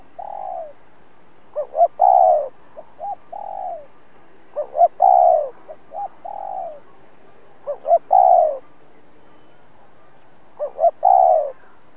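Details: Spotted dove used as a trapping decoy, cooing persistently to challenge rival males. A loud three-part phrase of two short notes and a long descending coo repeats about every three seconds, alternating with softer coos.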